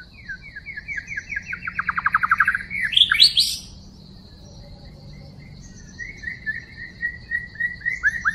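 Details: Wild White-rumped shama, in a trapping recording dated 12/12/2016, sings a fast run of descending whistled notes that speeds into a dense trill and climbs to a high sharp burst, then after a pause gives slurred falling whistles.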